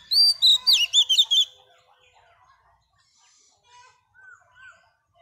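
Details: Singing to rouse males, a wild-caught female Oriental magpie-robin opens with a rapid run of bright whistled and slurred notes for about a second and a half. Faint, soft warbled notes follow in the quiet remainder.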